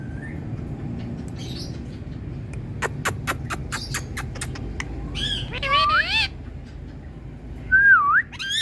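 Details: Indian parrot calls: a series of sharp clicks, then harsh wavering squawks and a loud looping whistled note near the end, over a constant low hum.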